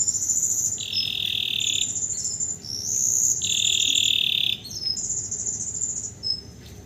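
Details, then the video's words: Canary just after its moult, singing readily without special conditioning and kept as a tutor bird for others. Loud, sustained high rolling trills alternate between a shrill upper band and a slightly lower one, each held about a second. "kondisi setelah mabung kenari langsung gacor"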